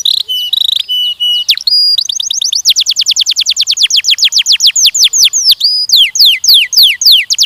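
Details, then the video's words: Canary song in a training session for young males and females before mating: steady whistles, a swooping note, then a long rapid trill of repeated chirps ending in loud downslurred sweeps. "Canção DAHSYAT CANARIES BIRDS 2023..! treinamento de acasalamento de machos e fêmeas jovens"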